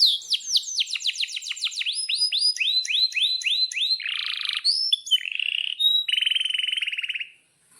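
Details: A lure song from an excited, breeding-condition canary. Quick descending chirps repeat several times per second, then give way to a buzzy roll, high thin whistles, and a final fast trill before it falls silent.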